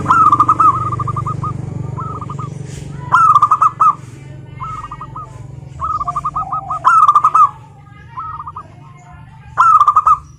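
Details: Zebra dove song: short trilled phrases of clipped cooing notes, alternating with loud bursts of rolled notes about every three seconds, over a faint low hum.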